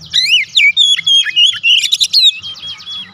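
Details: Oriental magpie-robin song used as a lure to provoke other magpie-robins into answering: a rapid, varied run of sweet whistled notes, slurs and buzzy trills, phrases packed closely for about three seconds with a faint low hum beneath.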